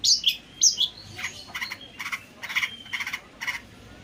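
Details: Long-tailed shrike song, used as a lure to get silent or stressed birds singing. It opens with a few quick whistled slurs, then gives a run of harsh, rasping notes repeated roughly every half second.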